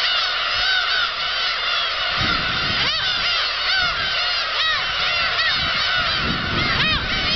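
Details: A dense chorus of black-tailed gulls as a flock takes flight at Kabushima on 13 March 2016, harsh mewing and nasal calls overlapping constantly, with a few louder drawn-out cries rising above the din.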